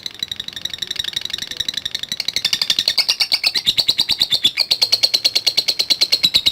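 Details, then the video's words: Lovebird in ngetik style, a lure for fighter lovebirds. Faint high rattling for two seconds, then swelling into a loud, even stream of sharp buzzy pulses, several per second, that continues to the end. "Love Bird NGETIK Latah Gacor Ngekek Panjang | AMPUH Pancingan Love Bird Figter"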